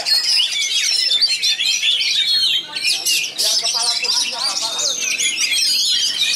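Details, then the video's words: Rapid, tightly delivered kacer song from a Pasbar bird praised for its rich material: bright whistled sweeps and trills run nonstop, briefly dipping near the middle, over faint lower chatter. "Materi mewah speet rapat salah satu Kacer terbaik Pasbar"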